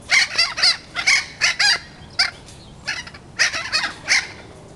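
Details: Captive thick-billed parrots in a breeding flock at World Bird Sanctuary, St. Louis, Missouri, give harsh, raspy squawks in quick bursts, several birds calling over one another at an uneven pace.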